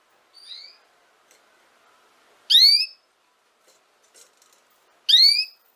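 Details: A soft opening chirp from a female canary, then two loud, bright, descending harmonic calls about two and a half seconds apart. Faint clicks sound in between.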